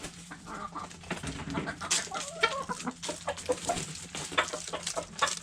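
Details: Backyard hens eating food scraps, with soft clucks and short harmonic calls scattered among sharp pecking and scratching clicks over a steady low hum.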